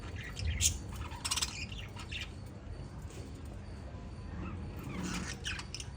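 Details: Five lovebirds of the parrot family chirping: short sharp bright chirps and squeaks in scattered clusters, strongest near the start and again toward the end, over a steady low rumble of background noise.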